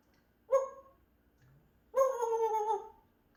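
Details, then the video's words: Pet African grey parrot in a small room making two nasal, harmonic calls, a short one then a longer drawn-out one, with a quiet low sound between. "African grey，Grape makes sound."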